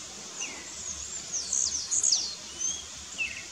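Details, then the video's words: Tiziu (blue-black grassquit) contesting with rivals in the bush: a rapid run of high, buzzy, swooping notes peaking mid-clip. Occasional lower chirps from other birds sit over steady insect noise. "Disputa de Tiziu no mato"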